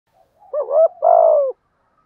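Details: [1, 'yes', 'coo', "Spotted dove giving a lure call in the 'giọng thổ' voice with 'thúc gù' cooing: a short hoarse double note followed by a longer, steady, mellow coo that slides down at the end."]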